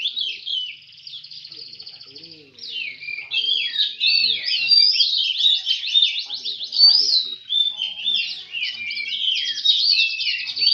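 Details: Songbird contest in Semende Perapau with Oriental magpie-robin song: a dense, continuous stream of high, rapid whistles, trills and chattering notes that grows louder and never pauses, suggesting overlapping singers.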